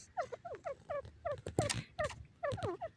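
A francolin gives harsh, nasal notes in quick clipped phrases of two to four, repeated several times a second, with a short clatter midway.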